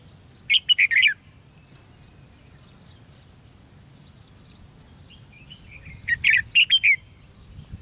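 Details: Red-whiskered bulbul in a competitive trapping session, 13 February 2016, giving two short bursts of high, chattering whistled notes about five seconds apart, with faint background noise between them.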